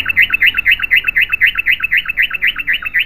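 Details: Rapid rhythmic yellow-vented bulbul song, a tight series of identical bright looping notes repeated about four times a second with very even spacing.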